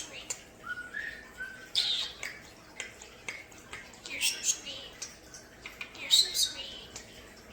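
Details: Common starlings indoors in a bird room, a caged pet group: rapid clicking and rattling chatter with scattered whistled notes, mixed with a woman's quiet talking to the birds.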